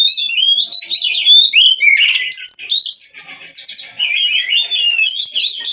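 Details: Oriental magpie-robin (kacer), bred in captivity, delivering an unbroken run of melodious whistles, sharp slurs and grating notes that shift pitch constantly.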